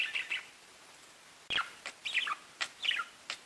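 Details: Pet budgies chirp: a few warbled notes, a pause of about a second, then a sharp click followed by quick falling chirps and short high notes.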